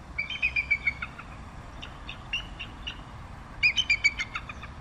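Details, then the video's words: Bald eagle chittering: a rapid string of thin, high, slightly descending notes, then scattered softer piping, and another fast burst of staccato notes near the end, all over low background hiss. "Canto del Águila Calva"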